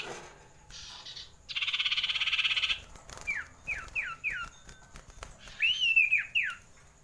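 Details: Common iora long rolling song to raise breeding urge: a soft buzz, then a loud rolled trill, followed by a string of short falling whistles and a rising-falling whistled phrase.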